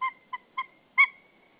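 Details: At a Saunja, Estonia nest on 24 February 2013 near 12:47, a male white-tailed eagle calls to the female arriving. Four clear, ringing yelps, the last loudest and trailing into a thin sustained tone.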